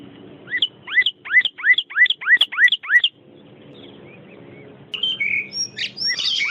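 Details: Training song of the white-rumped shama for young birds: eight bright rising whistled notes in quick succession over a faint low hum, then a pause and a burst of varied, tumbling high notes.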